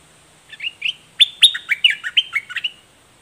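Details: Straw-headed bulbul in a heated face-off with a wild bird, giving a rich, bubbling warbled phrase of rapid liquid notes that rise and fall, loud and clear against a quiet background.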